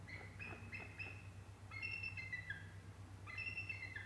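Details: Wild bald eagles at the Decorah North Nest around 2:21 pm on December 8, 2017, as a sub-adult is chased off: three bouts of high, piercing chattered notes, each series slurring slightly downward, over a constant low electrical hum.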